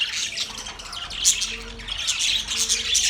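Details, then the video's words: Budgerigar kept at home chirping in a dense, continuous stream of high scratchy twitter and brief squeaks, with a faint low hum in the background. "Australian Parrot Bird Chirping sound"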